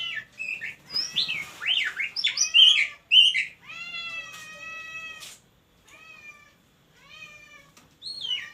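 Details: Oriental magpie-robin (kacer) asking to mate: a few seconds of loud, fast, sweeping whistled song, then quieter nasal, drawn-out mewing notes repeated at intervals, and a final brief whistled flourish.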